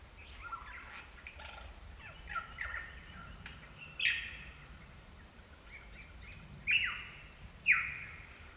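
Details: Superb lyrebirds at Gibraltar Creek in the ACT, Australia: loud sweeping descending whistles and sharp notes, with strong down-slurred calls near the end, over a steady low background hiss.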